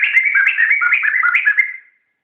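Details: A laughingthrush (poksay) sings, recorded to teach other songbirds: a short, loud, flowing phrase of sliding whistled notes that step up and down, fading away after under two seconds.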